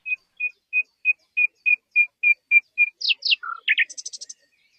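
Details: Bird singing in the wild: about ten identical short whistled notes evenly spaced, followed by rapid descending slurs, a low note and a high buzzy trill at the end.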